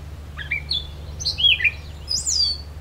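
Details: Gray Catbird singing in Beverly Swamp, Flamborough, Ontario, Canada, on the summer solstice of 2024, following a cardinal: a quick series of varied warbled phrases, some rising, some slurred downward, over a low background hum.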